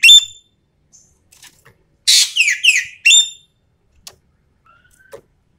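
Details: Common green magpie from Sumatra calling for a lure recording: a short ringing whistle opens, then after a pause a harsh rasp, two descending slurred notes and another clear metallic whistle.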